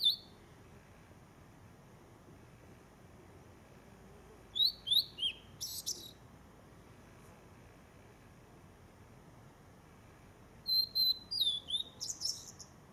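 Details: Blue-and-white flycatcher singing loudly from a treetop in the Zao ski area: two high, clear whistled phrases a few seconds apart, each ending in a harsh buzzy flourish, over a quiet background.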